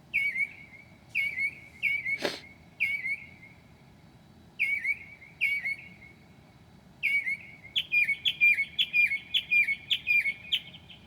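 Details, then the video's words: At 2 a.m. in July a Northern mockingbird mimics other birds: spaced down-slurred chirps, a single click-like snap, then a fast burst of rapid repeated notes. "HIGH QUALITY AUDIO of a Mocking bird at 2:00 A.M."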